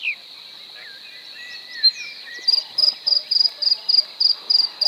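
A Bluethroat sings a few varied, sliding whistles, then a fast run of ringing, metallic notes, about three per second, over a steady high hum.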